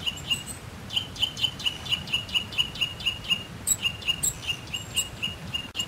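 Eurasian nuthatch singing a fast, even series of clear piping notes, about four per second, with a few thin, higher notes and a low rumble behind.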